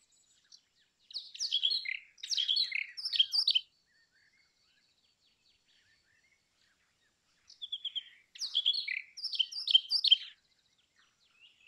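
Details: Brown rock chat repeating its song twice. Each bout is a few seconds of rapid, high, scratchy chirps and squeaky warbled notes. A quiet gap of about four seconds separates the two bouts, with a faint, thin whistle between them.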